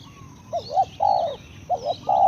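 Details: Spotted dove cooing: a short doubled coo, then a longer, drawn-out croo. The phrase repeats as a second doubled coo and a sustained final note. Faint high chirps from other birds sound in the background.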